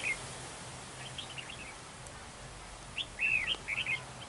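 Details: Windy day at a trap where a red-whiskered bulbul decoy fights territorially, a lone chirp, then a rapid burst of slurred whistled notes near the end.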